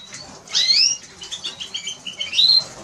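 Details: Eurasian siskin twitter with two drawn-out rising wheezy whistles, one near the start and one near the end. A string of quick, even chirps fills the middle.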